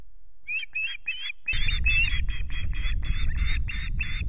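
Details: Osprey calling at a Loch Garten nest with chicks on 5 July, recorded by nest camera. Piercing, whistled notes repeat about four times a second, with a rushing wind-like roar joining midway.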